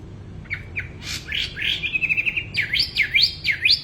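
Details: Actively singing wambi bird: scattered chirps lead into a quick rattling trill, followed by four repeated sweeping whistles that dive down and climb back up, over a faint background murmur.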